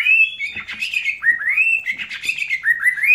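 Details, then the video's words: White-rumped shama from North Bali delivering an unbroken run of clear, fluty whistles that slide up and down in quick succession, with a faint room echo behind. "Murai Batu Cililin Panjang"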